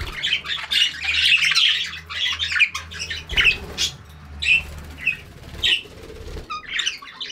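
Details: A budgerigar chirping in the morning chatters busily, with rapid scratchy warbles and sharp squawky chirps.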